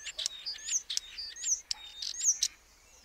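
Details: Common starling mixing thin slurred whistles with sharp clicks and broad rasping bursts in a lively, uneven sequence.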